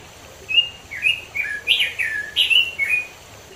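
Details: Wild robin from the East Java mountains, offered as a lure to prompt a silent bird to sing: a lively continuous string of clear whistled notes, jumping up and down in quick, slurred phrases for about three seconds.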